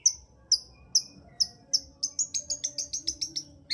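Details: Long-tailed shrike song played to provoke a quiet shrike: thin, high whistled notes about every half second, then a fast, rattling run of short piercing notes, ending with a louder burst.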